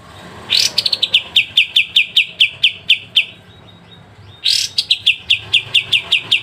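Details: Clear pied triller song, kapas tembak masteran with sharp besetan: a loud harsh burst opens a run of regular high chips, which fades to a pause before a second burst starts another rapid series.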